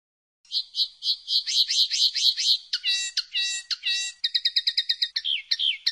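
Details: Common linnet song in varied phrases: repeated twittering notes, several downslurred whistles, then a fast, clipped trill and closing slurred chirps. The recording is clean with no other sounds.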